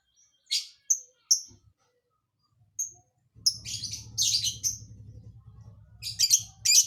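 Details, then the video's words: Lovebird giving odd, unpredictable isian filler song: three sharp, high chirps and a lone whistle, then rapid harsh chattering bursts over a continuous low droning hum. "Burung lb isian aneh"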